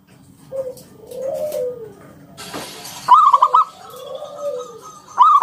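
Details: Local wild-origin zebra dove singing in the ngalun style with a round 'kung' note, meant as a lure for other doves. Soft gliding coos, a brief crackling burst of noise, then loud rolling trilled coos, one at the very end.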